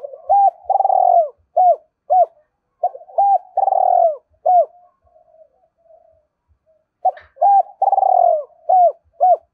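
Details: Decoy spotted dove in the 'giọng thổ' voice style, provoking and calling with a two-ended call: low, mellow coos in quick runs of short notes and longer rolling phrases, with brief pauses between bursts.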